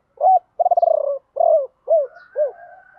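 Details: Decoy spotted dove luring wild birds with its 'ba hậu' song, which some call 'bo ba': a hoot, a long rattling trill, then three arched coos falling in pitch, ending in a soft hum.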